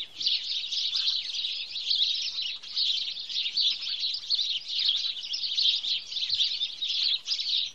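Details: House sparrows in Wittlich, 2017, calling together in a busy, unbroken chatter of high, sharp chirps for nearly eight seconds, loudness pulsing gently with several short dips.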